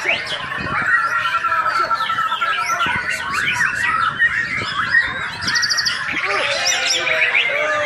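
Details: White-rumped shama, a champion contest bird from Singkawang, sings a busy stream of varied whistles, sharp upward slurs and chattering notes. Short buzzy rattles break in midway, with steady background twittering throughout.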